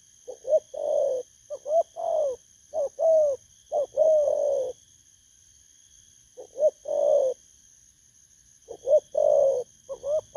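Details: A wild-caught spotted dove delivers 'bầu' style coos used for luring, 19 August 2024; bursts of soft falling coos in clusters with a long silent gap mid-way, then more grouped notes, constant faint high-pitched tones throughout.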